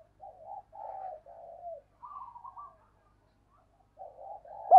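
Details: Spotted dove used as a decoy to draw wild doves in, soft muffled cooing phrases repeated with brief pauses, ending in one sudden louder coo.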